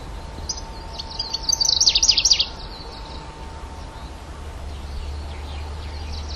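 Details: Grasshopper warbler (genus Locustella) with one short burst of fast, high, chattering notes lasting about a second, set against steady background noise and a constant low hum.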